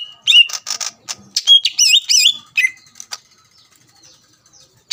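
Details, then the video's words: Song used to provoke other greater green leafbirds: rapid scratchy bursts lead into looping, warbled whistles, then a drop to lower notes and near silence. "PANCINGAN CUCAK IJO GACOR AHLI MEMANCING CUCAK IJO LAWAN AGAR EMOSI"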